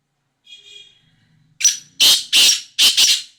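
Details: A black francolin, recorded 5/8/2023, gives four loud, harsh, grating notes in a quick ringing phrase after a faint thin whistle at the start.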